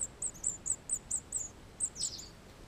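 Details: At a wall nest near Sofrino in July 2014, a white wagtail arrives to feed. A run of sharp, very high chirps comes in quick succession, then pauses, and ends in a slightly lower, buzzier burst.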